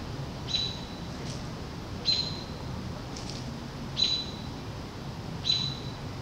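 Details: A red-tailed hawk fledgling below a tower, eating a squirrel on 2 August 2014, gives thin, high, briefly squealing whistled notes about every one and a half seconds over a low rural hum.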